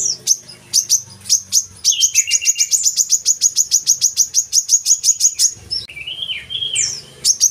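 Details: Brown-throated sunbird, lure song for captive birds: scattered sharp chips building into a long rapid run of high notes over lower buzzy trills, then a brief warbled phrase and more chips.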